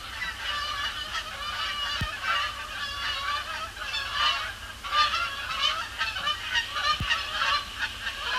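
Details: Canada Geese coming in to land on Sapsucker Woods Pond at the Cornell Lab of Ornithology, evening after sunset, cloudy sky; loud massed honks rising and falling in waves, many birds calling at once.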